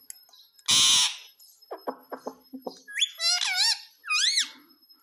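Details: An Indian ringneck parakeet that talks, saying "mummy mummy". A loud noisy burst and a few short clicks come first, then three strained, arching syllables with a nasal, rising-falling tone.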